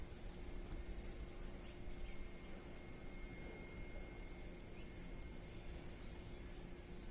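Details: Ruby-crowned tanager at a bird feeder, feeding on banana after a long struggle: four short, very high, sharp chips, spaced about one and a half to two seconds apart, over a quiet background with a faint steady hum.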